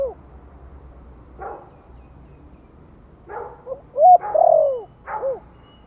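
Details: Spotted dove giving a gentle lure call in the Giọng Thổ style, used to stimulate newly kept birds: scattered soft low coos, then a louder, drawn-out falling coo phrase and a final short coo.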